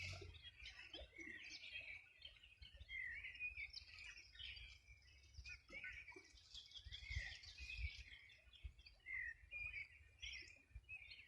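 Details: A morning chorus of birds along the Rio Bueno riverbank, Los Ríos Region, summer 2020. A dense, steady stream of high chirps and trills from several singers, with short pauses and a faint low rumble throughout.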